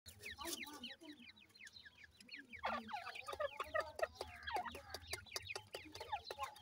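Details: Francolin chicks of the new season, a brood cheeping together: many short, high, downslurred peeps overlapping in a rapid busy chatter, with sharp clicks and a soft low hum beneath.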